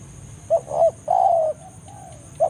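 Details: Spotted dove lure call calling a rival in forest: a short coo, a fuller coo, then a long drawn-out mellow coo that sags slightly, with a faint trailing note and a steady thin high-pitched whine behind.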